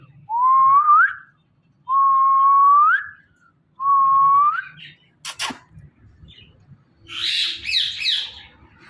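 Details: Pet parrot whistles three clear, level-then-rising phrases, each about a second long and spaced roughly two seconds apart. A sharp knock follows, then a burst of rough chatter.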